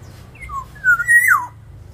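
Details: Black-naped oriole in an aviary, recorded as lure song for other birds: two short whistles lead into a loud liquid phrase that climbs and then slides steeply downward, with a faint low hum behind.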